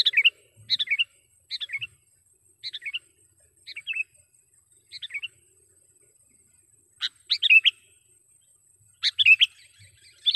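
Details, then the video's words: Sooty-headed bulbul lure call, used for trapping and training wild birds: short bright chirpy phrases of two or three notes, repeated roughly every second with pauses, then louder sharp notes near the end; a faint steady high hum runs throughout. "suara BURUNG KUTILANG PIKAT gacor / pikat kutilang gacor dengan suara panggilan kutilang gacor"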